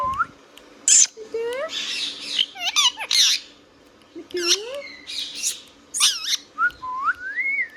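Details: Indian ringneck parrot in a room, loud raspy squawks interleaved with rising whistled glides and quick stuttering syllables, ending on a long upward whistle.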